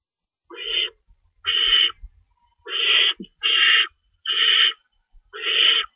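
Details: An owl nest at feeding time in the early morning of March 25, 2012, rabbit prey being torn up by an adult; steady series of six coarse hissing screeches with soft scuffling thuds underneath.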